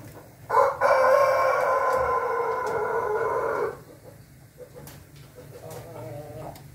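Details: Ayam Ketawa rooster with a red comb, recorded 20 May 2024, giving one long, steady, harsh crow lasting about three seconds, followed by faint clucking and low background hum.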